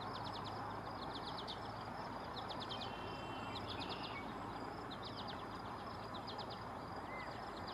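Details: Eastern kingbird calling in several quick bursts of high, stuttering notes across the recording, with a constant low hum of traffic or machinery in the background.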